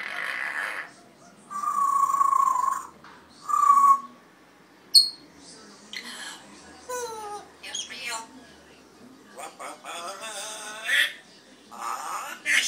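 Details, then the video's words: Red-tailed African grey parrot giving a varied string of sounds: steady mid-pitched whistled tones, a short high chirp, falling harmonic sweeps and harsh rasping squawks, spaced irregularly with brief silences between. "loro yaco de cola roja"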